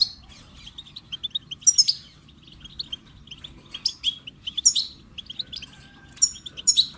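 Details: Goldfinch singing a lively twittering song: rapid chirps and trills with bright buzzy notes in repeated bursts about every one to two seconds, against a quiet low hum.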